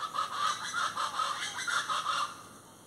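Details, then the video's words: Plain chachalaca (gulf chachalaca) giving loud, raucous, hoarse calls in quick rhythmic bursts about three times a second, rising and falling in volume, with faint background hiss. "chachalacas del golfo ( Ortalis vetula)"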